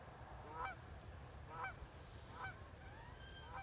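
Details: Several wood ducks in 2018 calling with thin, sliding whistles, one call roughly every second, each bending upward then dropping, above a constant low-pitched background hum.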